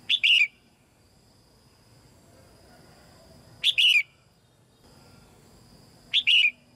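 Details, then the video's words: Caged female red-whiskered bulbul singing to encourage newly matured young birds to sing more; short, bright, chirping phrases come about every three seconds, three in all, with quiet gaps between them. "นกหัวจุก-birds - Ep.57 - นกตัวเมียร้องเพลงในกรงเพื่อกระตุ้นให้นกที่โตใหม่ร้องเพลงมากขึ้น"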